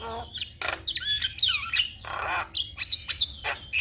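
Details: Black-winged starling song as training material: screechy whistles, descending slurred notes and broad harsh rasps, irregular and close.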